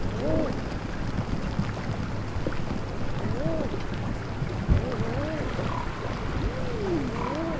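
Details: King eider at Marstrand, Bohuslän, Sweden, on 28 March 2010: soft, low, arching cooing notes, each rising then falling, repeated in pairs and groups several times, over a steady rumble of wind or water.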